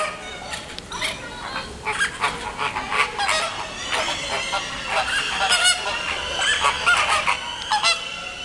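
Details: Flamingo colony with hungry chicks being fed at Paris Zoo, Bois de Vincennes: continuous babble of honking, nasal calls from many birds, irregular bursts about once a second over steady colony noise.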